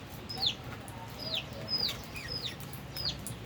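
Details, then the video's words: High, shrill chirps that drop steeply in pitch, given about every half second to second by albino and Fischer's lovebirds eating and playing, with soft background noise. "Lovebirds Chirping Sounds"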